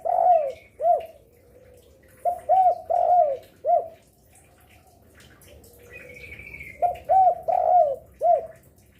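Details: Active spotted dove used to draw in other doves: several mellow cooing phrases of arched notes repeated roughly every three seconds, with a soft higher warble from another bird between them.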